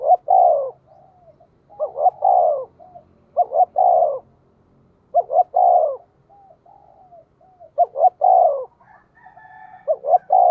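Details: Spotted dove repeating its 'giọng thổ' urging call to lure wild birds: five low cooing phrases in quick succession, each a short note, arched coo and long purring coo, with faint whistles in between.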